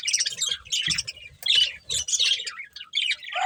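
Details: Budgerigars, a breeding pair busy eating, chirp in short clustered bursts of high, scratchy twitters roughly every half second, with faint low knocking sounds.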